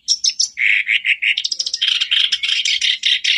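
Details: Song of a black-browed reed warbler, used as a lure to prompt a caged bird to sing: high chips, then lower rasping notes, then a fast grating chatter that runs on steadily.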